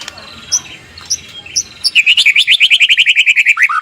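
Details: White-rumped shama morning lure song meant to prompt other shamas to answer: a few spaced high chirps, then a rapid even trill of about sixteen looping notes that drops in pitch at the end.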